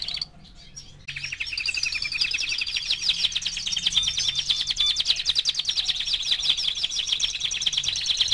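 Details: Young canary, four months old, in sustained song: after a brief pause, a long dense high trill of rapidly repeated notes with rolling, warbled phrases, continuing steadily to the end.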